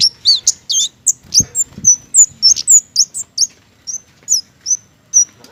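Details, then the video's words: Flowerpecker, known locally as kemade or cici geni, singing actively; a rapid run of very high, thin, sharp chirps and short whistled notes, dense at first, then spaced, with faint low thumps. "KEMADE / CICI GENI GACOR"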